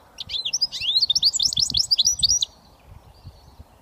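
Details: Switty singing from a goldfinch mule, a British finch hybrid: a two-second burst of rapid, high, twittering notes that slide up and down, followed by near silence.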